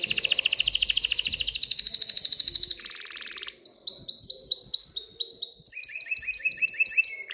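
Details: Excited canary singing to prompt females toward mating and nest building: a loud rapid buzzing trill, a softer low rattle, then clear ringing upslurred whistles repeated about twice per second and steady level notes.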